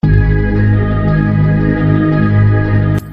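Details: A loud, sustained electronic organ chord drones with a gentle vibrato, then cuts off abruptly near the end; no animal is heard.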